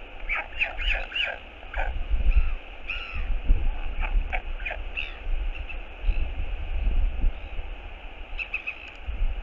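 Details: A northern royal albatross, on 11 Feb 2022 as it returns to the nest, gives a skycall of love in bursts of harsh, nasal braying notes, several early and more near the end, over a steady roar of wind.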